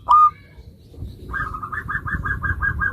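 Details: Zebra dove, local bird, song used to get other zebra doves answering. A single sharp whistled note comes first, then a rolling series of soft, pulsed cooing notes. Noticeable low background rumble.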